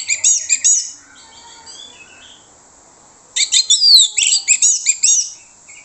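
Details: Orange-headed thrush singing as a lure to make other birds respond: two bursts of fast, bright, looping whistled notes with quick rising and falling slurs, separated by a quiet gap of about two seconds.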